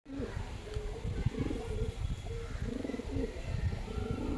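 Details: Girebaz pigeons, a domestic breed, cooing: low throaty coos repeated several times a second in overlapping bursts, with rumbling background noise and a faint voice.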